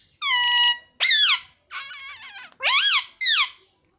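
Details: Talking parrot producing five loud, nasal, voice-like phrases separated by short pauses. Some are flat, and others swoop up and down in pitch. The background is quiet.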